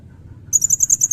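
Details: A quick series of seven sharp, very high chipping notes from a Blue-crowned hanging parrot. The notes are evenly spaced, part of its loud cililin-style song. A quiet low hum sits below.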